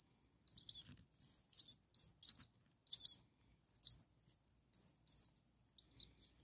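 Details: Hungry common starling nestlings, six of them, a few days old, calling from the nest: clusters of piercing, high, curved chirps in an uneven series, some doubled and overlapping.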